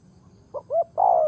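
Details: Single phrase from a decoy spotted dove luring wild birds: two short soft notes followed by a long, smooth coo that slowly falls in pitch. Background is quiet.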